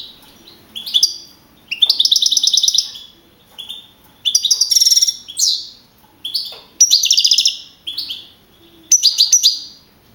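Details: Young male field goldfinch, first in a singing contest at Navalcarnero in the Madrid region, April 2012, with 42 points; repeated short phrases of fast tinkling trills and downward buzzy slurs, delivered in bursts about every second or two.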